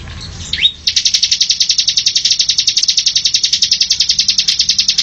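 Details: Ciblek (Bar-winged Prinia) with a quick rising note before a long, unbroken, evenly paced rattle of piercing high notes in the ngebren style, delivered like rapid gunfire.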